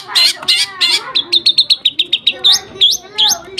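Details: Lovebird in nembak gereja sambung song: harsh buzzy notes open, then a quick string of short high chirps, closing with loud rising whistled swoops. Soft murmuring in the background.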